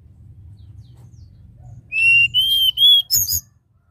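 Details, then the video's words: Flute-like song from a tledekan gunung: three drawn-out pure whistles rising step by step, ending in a short burst of high chattering, after several seconds of low hum. "Tledekan Gunung Nyuling Suara"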